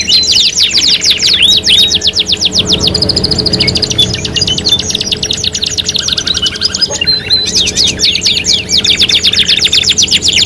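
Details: Canary song, a lure for stimulating singing: quick sweeping trills, a mechanical rattle and level whistled tones, a low roll, then renewed fast high trills.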